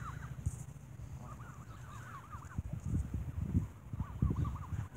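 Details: Geese squabble over bread at an evening feeding, giving short bursts of wavering nasal calls in quick clusters, with intermittent thumps and bumping sounds underneath.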